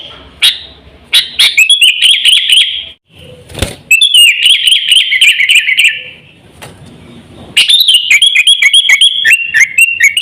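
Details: Lure call of a sooty-headed bulbul for attracting birds and training caged birds: three runs of fast, bright chirping separated by pauses, with a loud knock or door-like thump between them.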